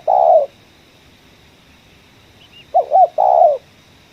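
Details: Low, burry coo of a spotted dove in 'ngeruk' style, heard while trapping in a coffee field. One long coo, a pause, then a bouncing double note and another long grating coo.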